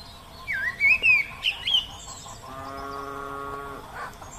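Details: Oriental magpie-robin singing outdoors in nature: a quick series of five or six looping, whistled notes, followed by a steady, low, buzzy harmonic tone lasting over a second.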